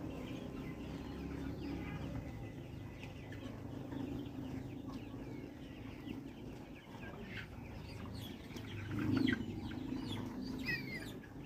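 A crowd of broiler chickens clucking and peeping in a dense, overlapping chatter over a steady low mechanical hum.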